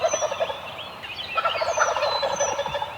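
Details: Several Eastern wild turkeys gobble on the roost in the morning in overlapping, rapid, rattling bursts that run almost without pause, while thin whistled songbird notes sound higher above.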